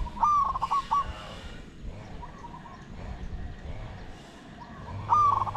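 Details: Spotted dove cooing in a decoy luring session: a near, stuttering coo phrase opens and another closes the passage. Fainter, more distant coos answer in between over a soft hiss.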